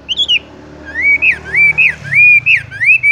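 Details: Horsfield's bush lark (wambie) rolling in tung roll style: slurred arching whistles repeated roughly twice a second over a faint low hum.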